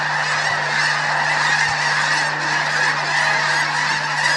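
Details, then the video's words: Morning mass launch of snow geese at Bosque del Apache; thick chorus of high, barking honks from many birds at once, a constant clamor with slight swells in volume. "Snow goose launch at Bosque del Apache"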